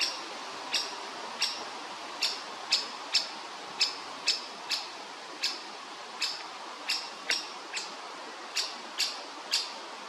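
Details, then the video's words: Woodpecker chick waiting for food, calling with short sharp high chirps repeated roughly every half second in a steady series, over a faint hiss of background noise. "Cute woodpecker chick waiting for food"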